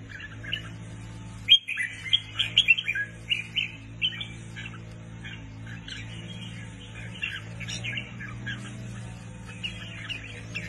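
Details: Caged red-whiskered bulbul, newly added to a bird keeper's collection and praised as a tireless singer, delivers bursts of short, bright, warbled phrases, loudest early on, then softer chirpy notes over a steady low mechanical hum.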